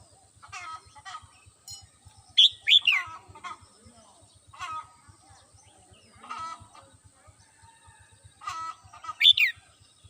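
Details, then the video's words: Red-whiskered bulbul kept at home, singing in the morning: a few loud, bright warbled phrases early on and again near the end, mixed with lower harsh clucking sounds, faint speech and steady ticking. "CHim Chào Mào Mơ nhà mình hót buổi sáng"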